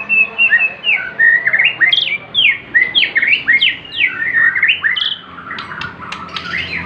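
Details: Borneo white-rumped shama, a hobby songbird, delivering a fast run of sweeping whistled notes, repeated about three times a second, bright and varied throughout.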